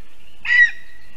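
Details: Female lesser spotted eagle, returned from Africa to breed, at a spruce nest in Zemgale, Latvia, on an April 2022 evening, gives a single loud, clear, slightly drawn-out high yelp.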